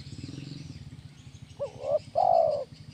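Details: Spotted dove (tekukur) kuk 1 song, used to train birds: a low buzzing rattle, then a short wavering double hoot and a long mellow coo that fades downward.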